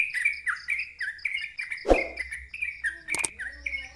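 Yellow-vented bulbul pouring out a loud, fast run of bubbly, chirping notes, about three per second, with a dull thump and a sharp click in the background.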